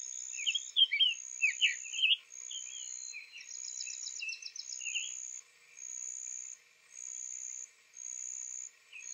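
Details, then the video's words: Male Summer Tanager, fresh from spring migration, singing softly at Owens Spring Tract, Lafayette County, Florida, April 3, 2023, morning; an opening cluster of hurried slurred warbles, then scattered softer notes, over a repeating high insect buzz. "Summer Tanager Singing Softly"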